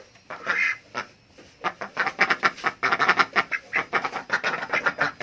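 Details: Hungry adult ducks calling for food with loud, raspy quacks, first a few spaced calls, then a fast, crowded burst of overlapping quacks that keeps going to the end.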